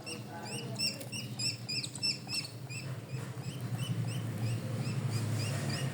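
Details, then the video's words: Pet bird chirping steadily: rapid runs of short, bright, upward-flicking chirps, several each second, clustered thickly early then thinning out, over a constant low indoor rumble. "A Pet Bird’s Tale From Chirps to Tricks"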